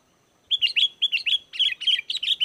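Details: Lively sooty-headed bulbul singing, used as a lure for wild bulbuls and as tutor song: a rapid run of about a dozen bubbly whistled notes over two seconds, with low background hum.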